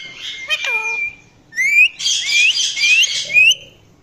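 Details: Talking Indian ringneck parakeet making varied sounds: a steady high whistle with a falling wavering note, then repeated rising, slurred whistles over a buzzy chattering texture, each about half a second apart.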